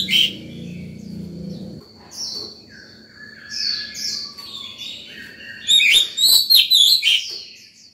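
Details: White-rumped shama singing in the morning while in breeding form, calling other birds and training young birds; quieter whistled and drawn-out notes build to a loud burst of fast ringing slurred whistles, low hum early on.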